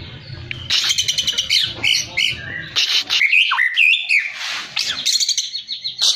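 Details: White-rumped shama from Cilacap delivering muntah beling song: dense bursts of harsh, high chattering notes mixed with quick twisting whistles and slurred phrases, with a low hum underneath.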